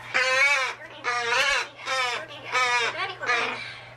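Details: Pet male magpie, a talking bird that can mimic speech: four or five raspy, richly harmonic bursts, each about half a second long and evenly spaced, over a faint steady background hum.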